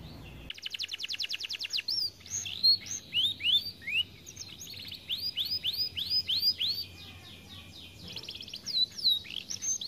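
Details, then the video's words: Overweight canary said to be lazy about singing: a fast buzzy trill of rapid pulses opens, followed by a run of upward-arching whistled notes, then bright high trills and sweeps to the end. "Kenari malas bunyi akibat TERLALU GEMUK"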